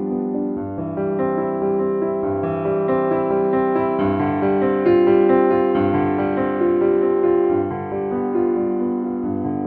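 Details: Gentle piano music plays throughout, with sustained chords and a slow melody and no animal sounds.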